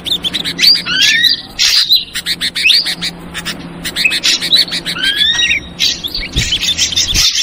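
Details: Ashy drongo lure sound, trucukan ribut version: repeated rising whistled slurs in pairs among rapid clicking chips and scratchy notes, lively and almost continuous.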